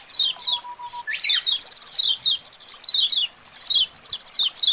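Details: Flock of white-eyes, a colony recording meant to get caged birds singing. Thin, high downslurred notes in irregular doublets and triplets, with a faint steady whistle early on.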